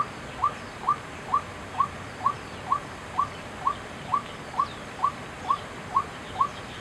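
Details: At Chiang Kai-shek Memorial Hall on 6 September 2012, a white-breasted waterhen repeats a clipped, rising note about twice a second, fourteen evenly spaced calls in all, with a low steady hum behind.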